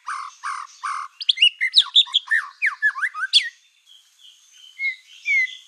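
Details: Black-tailed white-rumped shama singing to stir other shamas: three harsh raspy notes, a fast jumble of sharp whistled slurs, then softer drawn-out whistles trailing off.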